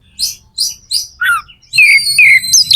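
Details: Magpie-robin (kacer) song meant to spur other birds to sing: several short breathy high notes, a falling slurred whistle, then a long loud whistled phrase sliding downward with faint background hum.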